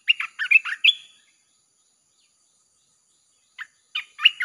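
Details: Red-whiskered bulbul song meant to lure wild birds: a quick string of bright chirped and slurred whistles, then a long pause of silence, then another short lively burst of notes.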